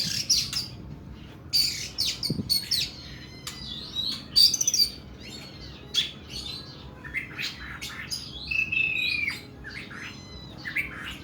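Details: Oriental magpie-robin delivering long, rough 'nembak' song: dense runs of sharp chirps, buzzy notes and a drawn-out whistled note near the end, phrases tumbling almost continuously over a faint low hum.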